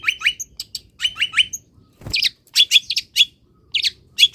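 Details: Caged long-tailed shrike in morning sun after misting, singing quick sets of three falling chirps alternating with piercing high whistles and scratchy notes, densely packed.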